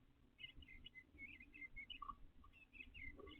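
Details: Backyard male eastern bluebird nest-building in late April; a soft continuous run of slurred, warbling notes, quiet against steady low background noise.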